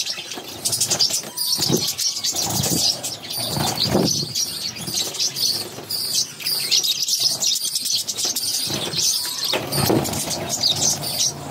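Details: Budgerigar chicks, one of six in a brood, being fed by their mother; a dense, raspy, high-pitched chattering runs almost without pause, with scattered clicks and soft rustling beneath.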